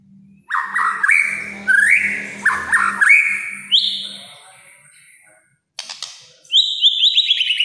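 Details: White-rumped shama delivering kretekan song that is said to stir up rival shamas: strong whistles with rising slides and jerky warbles, a pause, then high thin rapid notes in a tight series.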